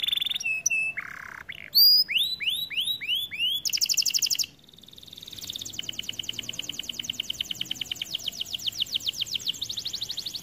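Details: A white canary sings a bright, high medley, opening with short whistled slurs and a run of rising swoops, then a loud burst, a brief pause and a long even rattling trill of rapid repeated notes.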